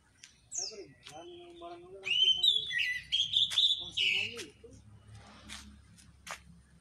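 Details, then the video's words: An orange-headed thrush sings freely and fully, a rich, rapid run of varied whistles, chatters and buzzy notes, shifting pitch constantly, ending with a few sharp clicks. "Anis merah ngeplong"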